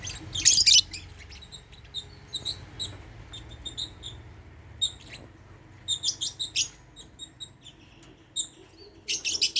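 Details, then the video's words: African lovebirds eating holy basil in their cage at meal time; a loud shrill burst opens, then bright high chirps in irregular bunches, growing busier toward the end, over low hum. "Meal time | African Love birds | Eating Holy basil | chirping sound"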